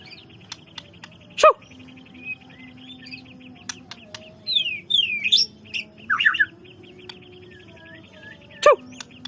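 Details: White-rumped shama song used to prompt other shamas into showing their full repertoire: scattered whistled slurs and twisting notes, faint repeated chips, two loud sharp knocks, over a steady low hum.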